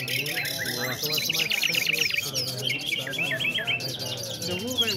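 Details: Nightingales singing together at a competition in Afghanistan. Mixed whistled phrases, quick rising-and-falling chirps and buzzy trills overlap, while people talk steadily in the background.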